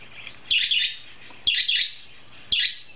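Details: Gustav, a young male pet budgerigar, chirps in response to recorded happy budgie sounds: three bursts of bright, scratchy chirping, each about half a second long.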